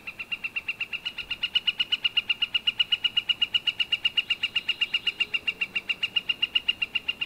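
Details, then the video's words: Northern flicker calling: a long, fast run of sharp, even notes, about four per second, holding steady in pitch and loudness throughout. Wood-pecking is also named for this recording. "Northern Flicker call and wood-pecking"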